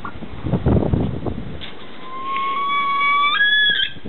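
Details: A captive Himalayan snowcock at a pheasantry in the UK gives a long, clear whistle that holds steady, then steps up higher near the end, after low thumping and rustling noise.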